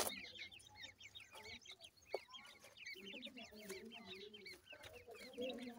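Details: Several francolin chicks give rapid, high, twisting chirps in a busy overlapping chorus, with lower, throaty clucking sounds running underneath and occasional clicks.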